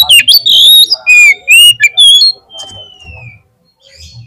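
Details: Oriental magpie-robin lure song aimed at getting other magpie-robins singing. Loud, fast whistled and harsh phrases open, ending in one long descending whistle, followed by quieter scattered notes and low thuds.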